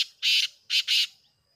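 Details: Black francolin (titar), recorded 5 7 2023, gives a short harsh phrase of three loud rasping, squawky notes, one long, then a brief pause before two more in quick succession.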